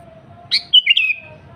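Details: A single phrase from an energetic sooty-headed bulbul: a quick upward-swept note, then a tumbling pair of liquid whistles and a trailing, slightly falling whistle, over faint low hum.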